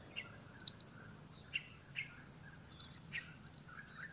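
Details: A lone blue-crowned hanging parrot gives a shrill double chirp, then after a pause a rapid run of four high squeaky notes; faint softer lower chirps from other birds between.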